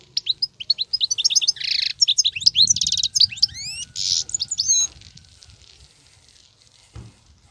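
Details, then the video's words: Continuous song of a wild European goldfinch: clipped chirps that build into a fast, twittering, buzzy stream with several upward-sweeping whistles. Near the end the song cuts off, leaving a quiet background with one faint knock. "صوت الحسون البرى:مقنين خلوى ممتاز..بتبتات.. غناء لاينقطع"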